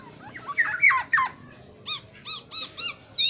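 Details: Aceh black-naped oriole singing a few sharp downslurred whistles, then a string of arched, fluty notes repeated about every third of a second, over a quiet background.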